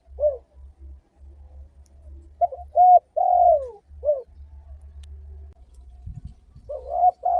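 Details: Spotted dove cooing played to draw other doves into calling: soft introductory notes, then a three-part phrase of short coo, long falling croon and brief end note, with a new phrase beginning near the end. A low electrical hum is present throughout.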